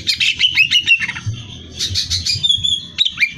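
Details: Greater green leafbird singing, used as training material for song competitions: rapid, varied whistled and chattering phrases, bright slurred notes and fast trills, with a low rumbling background hum.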